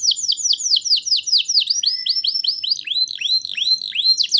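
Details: Caged canary in full song, used as a tutor to spur young canaries into singing: a fast series of high, downward-sweeping whistled notes that turns into arched, rising-and-falling notes, repeated about five times a second.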